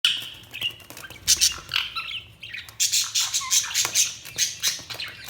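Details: Budgerigars chirping together in a busy flock chorus. High, scratchy warbles and squeaky trills overlap without a pause, with brief louder bursts throughout.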